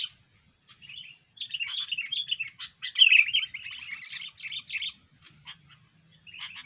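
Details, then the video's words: Unusual calls of a sooty-headed bulbul (kutilang), used as bird-luring audio: a dense run of scratchy, chirping notes that builds into rapid chatter, then thins to scattered single chirps. "kutilang suara aneh"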